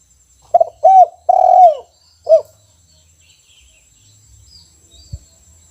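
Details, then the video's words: Caged spotted dove, singing in the kuk 1 style: one phrase of two short rounded coos, a long drawn coo and a short closing note, followed by quiet with a faint thump. "Special Suara Tekukur Kuk 1 Gacor Disangkar"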